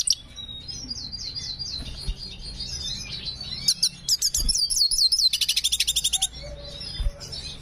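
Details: Black hooded siskin in breeding condition singing a lively, varied song: high thin whistled slurs, sharp chips, then a fast buzzy run of repeated notes, with a low hum underneath.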